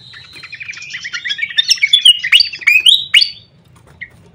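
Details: Fantail lure call used as a tutor sound: a level whistle opening into an accelerating cascade of sweeping, rising and falling whistled notes, ending abruptly with one faint chirp after.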